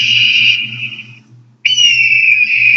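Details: A red-tailed hawk's screech played back from a phone: two hoarse, drawn-out screeches, each over a second long and separated by a brief pause, over a faint low hum.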